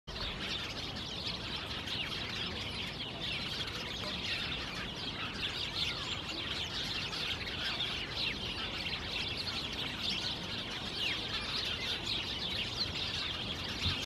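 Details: House sparrows in a thicket in Helsinki, Finland, in September 2019: a dense, continuous chorus of many overlapping chirps and chattering notes from a flock, with steady background noise.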